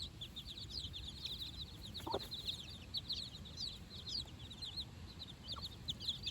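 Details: Four-day-old chicks with their mother on fresh grass for their first outing, producing a steady stream of thin, high peeps from many birds at once, one soft lower cluck, over low-pitched rumbling.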